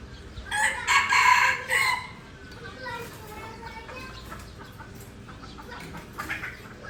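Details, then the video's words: Junglefowl from Aceh, an F1 pikat decoy, gives one rough, harmonic crow of about one and a half seconds, then softer broken notes, with faint background voices afterwards. "Ayam Hutan Aceh # Pikat F1"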